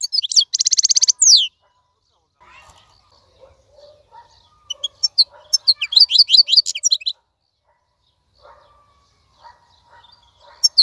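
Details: Wild-caught European goldfinch kept in a cage, singing nonstop: opens with a harsh buzzy rattle, then lively high twittering with tinkling, sliding notes, pauses, and resumes twittering, with faint low background sounds.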